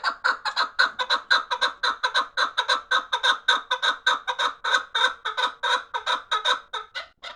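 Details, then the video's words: Fighting partridges give loud, rasping chuk calls in a steady rhythm, close to two per second, each note harsh and clipped. "Кабки ҷангӣ"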